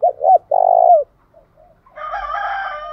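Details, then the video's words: Spotted dove luring wild doves to sing gives a short-short-long cooing phrase, a few faint coos, then a rooster crows loudly over the end. "Chim cu gáy kích bổi nhanh nổi"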